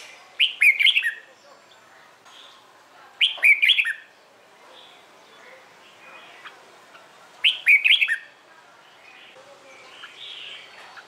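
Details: Red-whiskered bulbul in morning competition-song training, meant to make newly caught birds sing along; three loud warbled phrases spaced several seconds apart, with soft whistles and chirps from other birds between.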